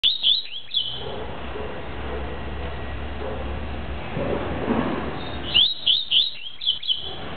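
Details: Double-collared seedeater singing the tuí-tuí song style: a short burst of sharp rising chirps at the start, a noisy gap, then a quick run of rising, slurred notes repeated about three times a second, over steady background hiss.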